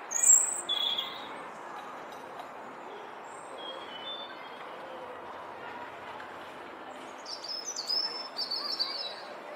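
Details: European robin in the Flower Walk countersinging with a rival nearby down the path: a high trilled phrase opens, a long quiet gap follows, then a new run of thin, shrill whistled notes, all over constant background hiss.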